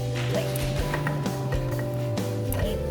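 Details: Steady instrumental music with low sustained notes and occasional percussive knocks; no animal voices can be picked out.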